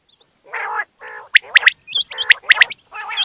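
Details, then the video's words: Female quail sounds: long, coarse, nasal rasps alternating with pairs of sharp, piercing high chirps and short hooked whistles. "Batair Ki Awaz Quail Sounds bedana ovozi Bedana makiyon bedana sayrashi bedana sayroqi"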